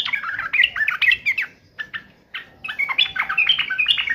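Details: Sooty-headed bulbul in fighting mode, agitated: dense, hurried warbles and chattering notes in two bursts separated by a brief quieter gap, over low background noise.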